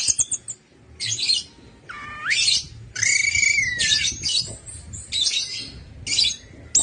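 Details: Orange-headed thrush song used as a lure to get silent birds singing: loud bursts of rich, scratchy high notes alternating with clear whistles that slide down, phrases separated by short pauses.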